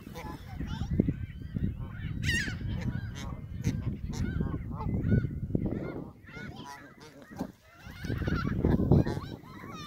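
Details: Canada geese at Hawreluk Park Lake giving a busy chorus of overlapping nasal honks, rapid and irregular, several birds at once, with strong low-pitched rumble and noise beneath the calls.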